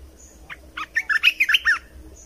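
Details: Song of a red-whiskered bulbul, played to teach young birds and rouse other birds: a quick run of seven or eight bright, warbling slurred notes packed into about one second, then silence.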